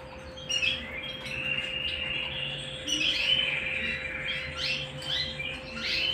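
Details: Canary singing at home, a continuous rolling warble with sustained trills and higher chirped notes over a steady electrical hum and background hiss.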